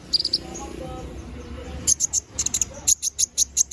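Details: Canary in vigorous 'gacor ngobra' song, a master recording for training magpie robins: after a quieter start, a fast run of evenly spaced, very high piercing notes, roughly three per second, over a steady low background hum.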